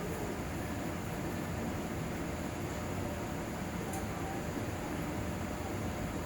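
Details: Steady hiss and fan-like hum fill a small indoor room, with no animal calls heard.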